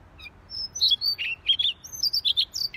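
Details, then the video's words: Siberian rubythroat singing actively: a fast, unbroken phrase of about a dozen high notes mixing thin level whistles with buzzier, lower chirps, lasting about two seconds. "Siberian Rubythroat Gacor Si Leher Merah"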